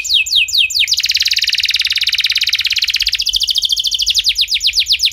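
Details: Canary song played to get other canaries singing: a few sweeping notes, then a long, loud, very rapid trill that gradually breaks into distinct fast notes.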